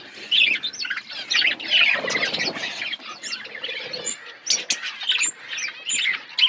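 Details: Many budgerigars kept together in a colony, producing overlapping bursts of high chatter, rapid squeaky warbles and thin whistles that rise and fall in loudness.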